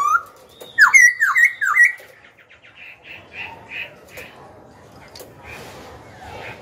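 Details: Young Black-throated laughingthrush in a cage, singing to provoke rival birds and train young birds: loud whistled swooping notes in a quick run, fading into softer rhythmic chattering notes.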